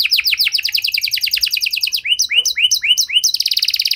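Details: Persistent canary song with special phrasing, meant to coax stalled canaries back into song. Fast descending whistles give way to slower, separate rising upsweeps, then a very fine, rapid trill.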